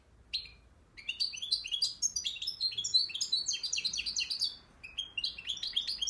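European goldfinch singing a fast, tinkling stream of high twittering notes and liquid trills, nearly continuous for six seconds, with a faint room hum beneath.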